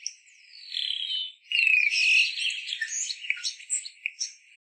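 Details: Green-winged pytilia, a Southern African bird: a high, thin descending whistle, then a quick jumble of bright chirps and trills over about three seconds.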